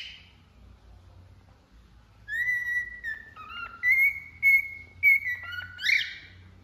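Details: After a quiet start, a cockatiel whistles a steady tone, dips lower, then rises into a string of short level whistles before a final harsh squawk.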